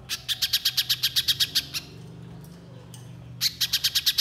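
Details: Little spiderhunter, a lure recording meant to prompt other spiderhunters to sing: a rapid burst of about thirteen sharp, high, evenly spaced notes, a pause, then a second run of about seven, over a low background hum.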